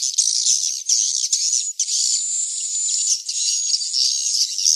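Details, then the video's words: Swiftlet chicks used as a lure to attract swiftlets: an almost continuous high, buzzy, wheezing chorus with faint whistled strands and few breaks. "SUARA WALET ANAKAN TERBARU"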